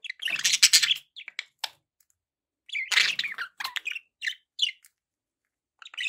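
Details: Pet budgerigars burst into loud, buzzy warbling, then fall silent and start again, ending with scattered single chirps and short chattering notes.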